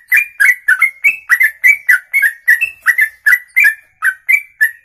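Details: Extended ropelan from a songbird, one breath stretched past two minutes: very loud, dense run of whistled chirps, nearly four per second, alternating slightly higher and lower notes, each with a sparkling high overtone.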